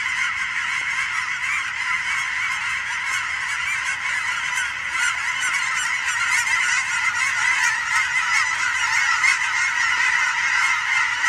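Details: Huge flocks of migrating geese flying over on a fall evening in Oregon, mixed with sandhill cranes: a dense, continuous chorus of overlapping honks, loud and steady throughout, with calls layered thickly and no pause.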